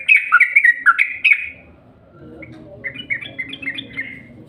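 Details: Yellow-vented bulbul lure call for attracting birds: a quick string of liquid, bubbly notes, then a quieter spell of murmuring background noise and a softer chattering return.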